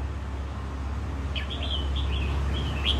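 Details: Caged wild-caught red-whiskered bulbul, kept for a year and said to be ready for singing contests: a short run of bright whistled notes, rising and falling, over a steady low hum.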